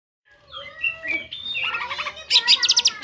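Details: Greater green leafbird singing vigorously in ngentrok style, a recording meant as a master reference for training other birds: a quiet start, then layered whistled phrases building to loud, rapid, bright bursts of high notes near the end.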